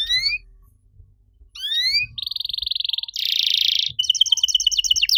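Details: Canary singing a master song for training other canaries that have gone quiet. Rising whistled slurs lead into a fast rattle, a harsh buzzy roll, then bright clipped notes repeated rapidly.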